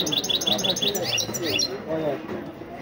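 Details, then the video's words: Goldfinch singing with rolling phrases: a quick series of high, bright chirps and slurred notes that fades out, while voices continue in the background. "goldfinch is very Nicely rolling and singing"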